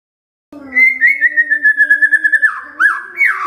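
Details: White-rumped shama, known locally as murai batu, from Medan: after a brief silence, a sustained fluttering warble held at a steady pitch, followed by sharp upslurred whistles and a bright rising flourish, over a soft low drone.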